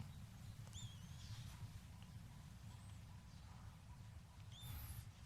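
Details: A very young fallen nestling in Thailand, eyes barely open and unable to feed itself, gives thin, high chirps, some sliding up and down, spaced over several seconds while hand-fed; the keeper believes it calls from hunger; low handling rumble.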